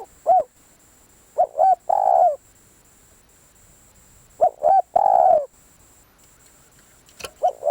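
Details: Spotted dove used as a decoy caller, giving soft mellow coos: two short rising notes followed by a longer slurred falling croon, the phrase repeated twice with a third beginning, under a faint steady high whine.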